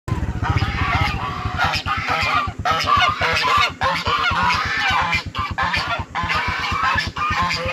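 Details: Frightened goose screaming: harsh, nasal honking cries in rapid, ragged bursts, roughly a hundred a minute, each rich and grating, over a steady low rhythmic rumble like an engine.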